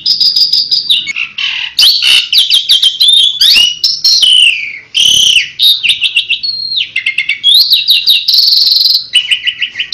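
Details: Asian pied starling delivering loud 'tembakan' song said to lure any bird: falling whistles, harsh grating bursts and rapid chirping runs, with a steady low hum in the background.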